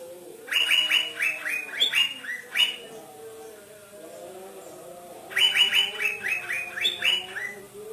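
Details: Asian fairy-bluebird of the 'trotol' type singing actively, said to agitate greater green leafbirds: two bursts of rapid, repeated bright chirping notes, each burst about two seconds, separated by a pause, over a low steady hum.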